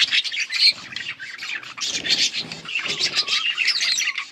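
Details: Chattering budgies on August 19, 2024, a steady stream of harsh squawks, buzzy chirrups and brief whistled notes running together without a break.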